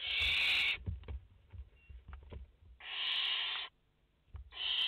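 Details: France, 30 August 2021, live at a barn owl nest with mother and four chicks: three loud, grating hisses, one at the start, a longer one after a two-second lull filled with soft clicks and taps, then another starting at the end.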